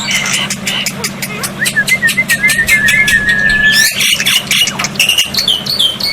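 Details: Tutor recording of black-winged myna for water therapy, meant to get silent birds answering: rapid clicking strokes, then a chain of linked rising whistles ending in a long steady tone, followed by harsh chattering notes.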